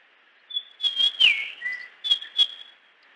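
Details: Japanese grosbeak song in natural habitat, made of clear whistled notes that hold steady, then a strong falling slur and a softer low whistle. Several sharp clicks sound during the phrase.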